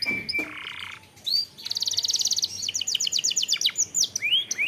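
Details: Canary lure song to stir other canaries into singing, opening with a low buzzy churr, then a dense rapid roll and a series of quick repeated chips with a few rising whistles at the end.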